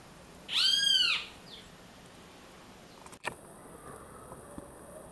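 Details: A single arched, harmonic call of a great kiskadee (bem-te-vi), followed by a short click and low background hiss.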